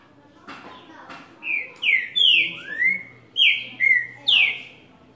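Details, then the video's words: Green-winged saltator delivering its six-note 'boi' song: about seven loud, fluty whistles in quick succession, some falling and one rising, after a few soft clicks at the start. "Esquente seu Trinca - Ferro com 6 nota Boi no meio do Canto"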